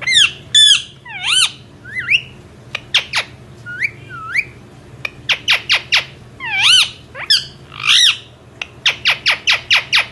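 A parrot gives curling, nasal speech-like phrases and squawks, then ends in a rapid run of sharp, high chirps about five per second. A faint low hum sits underneath.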